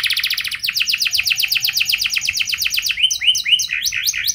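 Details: Canary with a fancy, long-shooting lure song: a buzzy trill turning into a long run of quick rising whistled notes, finishing with varied sharp upswept notes.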